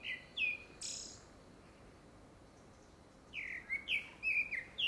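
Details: Grey-backed thrush sings, likely a courtship song for a second breeding: short, clear fluted whistles, two or three quick notes, a brief pause, then a faster run of bright, slurred phrases over a faint hiss.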